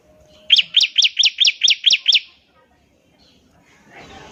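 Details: Bar-winged prinia delivering its ngebren trill as a lure to make other prinias sing quickly: a single clean run of eight bright, piercing notes at a steady fast pace, then quiet with faint rustling.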